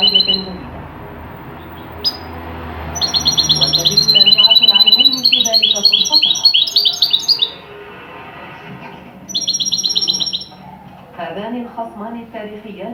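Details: Goldfinch in a Tunisian traditional song style for teaching other goldfinches, delivering two bursts of fast, sparkling twitters and ringing trills separated by a pause, while a man speaks Arabic in the background.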